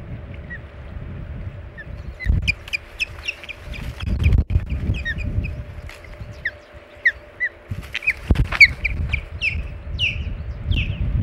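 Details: Ospreys at the Hog Island nest on 21 April 2020, two females fighting with a male caught between them: series of sharp, short, high chirping notes, some downslurred, repeated in bursts, over rustling, thumping nest scuffles and low wind rumble.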